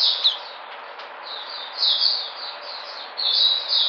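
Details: White-eye known as puteh, 13 February 2020: a sharp high note, a brief lull, then smeared high warbled phrases in short surges.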